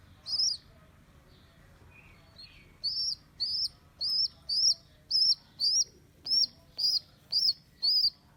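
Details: Baby rock pigeon rescued from a roof after its mother abandoned it, day two in care: one shrill squeak, a two-second pause, then a steady run of high arched squeaks at a measured pace.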